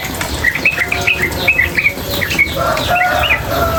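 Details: Sooty-headed bulbul, female, chattering in quick ropel bursts. Clipped rising chips run in short series, then give way to lower whistled notes and steady background noise.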